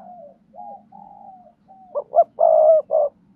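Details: Spotted dove in 'thúc gù' cooing, used for training newly caught doves to coo: soft sliding notes build into four loud throaty coos, the third one long and sustained, over a faint low hum.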